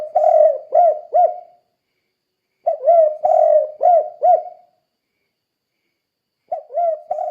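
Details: Spotted dove calling persistently in 'kuk 2' style to encourage other doves to sing. Three low phrases separated by silent gaps, each a run of mellow coos ending in two or three quick, rounded upturned notes.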